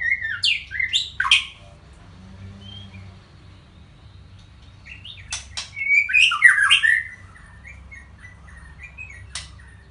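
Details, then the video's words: White-rumped shama song opening with rich, fast whistled notes that jump up and down, then a quiet gap before a dense, scratchy, twittering burst mixed with sharp high clicks and slurred whistles, over a soft low hum. "Murai Batu"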